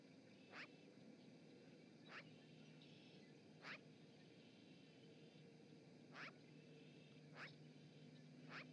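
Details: Magpie at the Charlo osprey nest, Montana, live cam recording from 7 March 2018, repeating six fairly faint, scratchy, harsh notes at uneven intervals against a constant low background hum.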